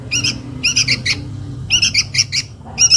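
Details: Chick of the sooty-headed bulbul calling its mother as a lure sound: grating, harmonic chirps in two bursts of four notes, then a fresh call beginning, over a faint hum.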